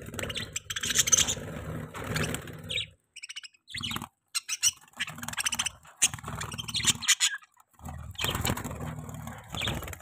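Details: Morning breakfast chatter from pet budgerigars, with dense, buzzy warbling and quick high chirps in bursts separated by brief pauses. A low rumbling hum runs beneath.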